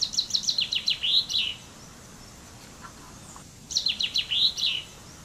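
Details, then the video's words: Two songs from a common chaffinch (Fringilla coelebs), each a quick cascade of loud, high, downward-stepping notes ending in a short flourish, about three and a half seconds apart, with faint low notes between them. "Canto del Pinzón Común"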